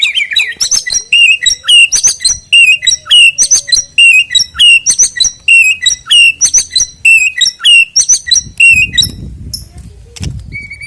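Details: White-rumped shama singing, a recording used to prompt a bird to sing before a contest: loud, rapid phrases of high sweeping whistles repeated steadily for several seconds, ending with a low rustling thump.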